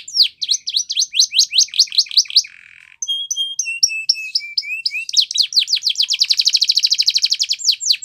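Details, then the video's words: A Spanish Timbrado canary sings a training song of rapid tours: quick falling chirps, a short buzzy note, bell-like whistles, then a fast, even, high trill. "Canary Training Champion Song"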